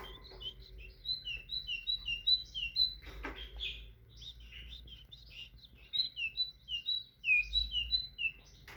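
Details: Tit song made of quick strings of high whistled notes, each phrase stepping down in pitch and repeated several times, broken by a brief pause with a sharp click, then resuming in the same rhythm.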